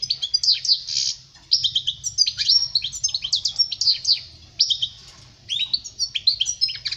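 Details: Tutor song of a European goldfinch for young birds: continuous bright twittering with bouncing liquid notes and quick buzzy runs, two short pauses breaking the flow, steady faint hum below.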